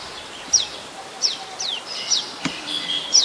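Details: Adult Common Tailorbird, a common resident, at Ubon Ratchathani, Thailand, on 27 January 2021: sharp high notes with quick downward sweeps, irregularly spaced, over faint background chatter of other birds.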